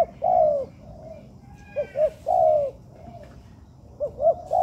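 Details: Captive spotted dove trained in an artificial yard, giving low hollow coos: long slurred notes falling at the end, then a pair of quick short notes leading into another drawn-out descending coo, repeated in a loose rhythm.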